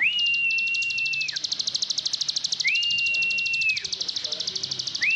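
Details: Ciblek sawah, the plain prinia of Indonesia, in ngebren style. A dense high buzzing trill of rapid pulses plays under and between long, even whistled tones that each swoop up, hold, then drop.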